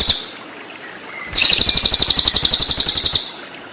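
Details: Cililin singing as a training recording for white-rumped shama: one loud, rapid, high-pitched trill lasting nearly two seconds, about eight evenly spaced notes per second, preceded by a faint thin whistle.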